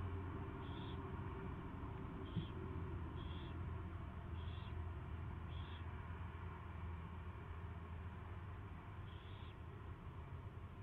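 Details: At its first feeding on February 24, 2016, 2:15 PM, an owl gives short rasping hisses, six spaced a second or so apart, then a pause, against constant low droning background noise.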